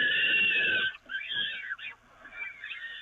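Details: Short burst of peregrine falcon calls at the Evoluon nest grating during feeding, 13 May 2018: one loud, rasping scream that breaks after a second into softer, broken calls.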